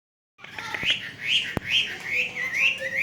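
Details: Hwamei song after a brief silence: a flowing series of warbled, rising-and-falling whistled phrases, each lasting about half a second, delivered continuously and growing louder toward the end.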